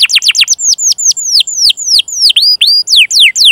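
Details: Domestic canary song recorded to teach and stimulate young or silent canaries: quick clusters of downward-sweeping whistles, then slower, longer curving slurs repeated about every quarter second, some paired with higher upswept notes.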